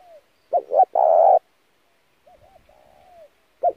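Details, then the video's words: Spotted dove cooing as a lure for training birds: one loud phrase of a doubled note and long coo, followed by a softer, more distant answering phrase. "kích mồi tập bổi chim cu gáy cực chuẩn / thúc gù căng lửa"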